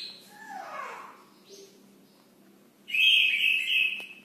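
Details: Brown cililin in persistent, unprompted song. Scattered soft high notes lead into a loud, sustained, shrill trilling phrase near the end over a quiet background.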